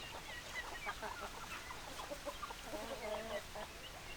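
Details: Several hens cluck together, with short stacked clucks and a few drawn-out higher notes near the end over constant low background noise.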